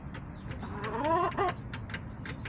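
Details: Backyard chicken hen on April 27, 2024, caught on a backyard camera, giving short clucks and one drawn-out, rising, rather nasal call lasting about half a second, then more soft clucks, with low background rumble.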